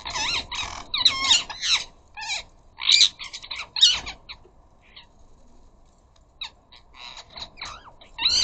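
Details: Rose-ringed parakeets, a flock of up to a dozen at a garden bird feeder in the UK, chattering or squabbling: harsh screeching bursts, several birds calling over one another in quick overlapping squawks, short quiet gaps between flurries.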